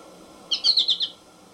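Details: A single quick American goldfinch phrase of five bright, slightly buzzy high notes run together in under a second.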